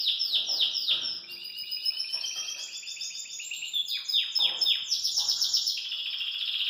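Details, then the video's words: Belgian canary singing in a cage: continuous bright, high song of fast repeated down-slurred notes, ringing trills and warbled runs, with no pause throughout. "Canário Belga Dá Um Super Show de Canto"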